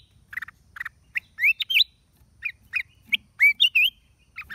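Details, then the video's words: Black-crested bulbul, 29 December 2023: buzzy chirps followed by loud rising and twisting whistles, a pause, then more chirps and a looping whistled phrase. "เสียงนกปรอดเหลืองหัวจุก นกหัวถ่าน cang jambul"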